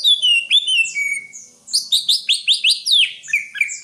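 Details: Greater green leafbird song opening with descending slurred whistles, then a quick run of bright, sharply downslurred notes repeated about every fifth of a second, ending in thinner whistled phrases.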